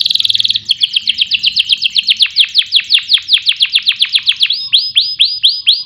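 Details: Canary song used to train and excite competition birds: a brief rapid trill, then a long series of quick downward-sweeping notes, ending in slower rising whistles.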